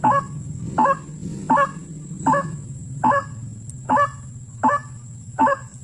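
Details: Wild white-breasted waterhen: a series of eight harsh, nasal honks at an even pace of roughly one every 0.8 seconds, each note brief and croaking, with a constant low rumble and a thin high-pitched tone underneath.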